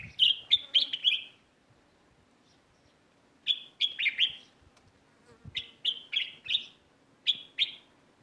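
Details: Sparrows chirping in a neighbourhood garden, giving repeated bursts of rapid, piercing chirps, three or four notes per burst, returning every couple of seconds against a quiet background.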